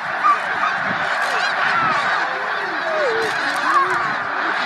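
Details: Migrating snow geese at Middle Creek Wildlife Management Area in March 2019: an unbroken wall of overlapping honks and higher yelps from a big flock, steady in loudness throughout, with no pauses.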